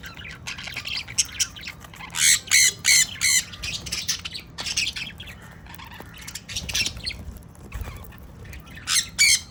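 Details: A sun conure breeding pair calling with a run of loud, harsh screeches, three closely spaced, then scattered quieter chirps and a final loud squawk near the end.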